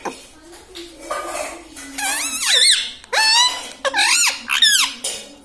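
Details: Pet green parrot kept indoors, said to say "mummy", "papa" and "radhe radhe"; a few harsh, rising-then-falling nasal utterances in quick succession, each strongly harmonic, over a soft background of human voices in a small room.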